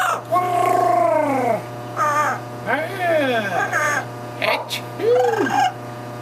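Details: A yellow-naped Amazon parrot over 40 years old imitates its owner's coughing and sneezing: hoarse, voice-like coughs with arching, harmonic tones and a brief sharp sneeze near the end, over a steady low electrical hum.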